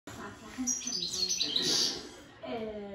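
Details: A European goldfinch, one month after finishing its moult, sings a bright, liquid twittering run of high tinkling notes for about a second and a half; a man's voice speaks at the end.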